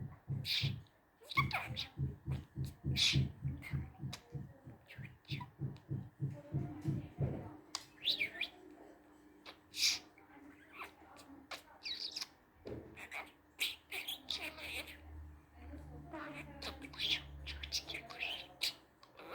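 A budgerigar chatters in quick, speech-like bursts mixed with high chirps and squeaky warbles.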